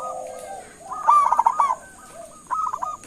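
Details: Local zebra dove calling so other birds answer: a low drawn-out note, then a loud quick cluster of bubbling coos, a pause, and a shorter softer string of clipped notes, over a faint high tone.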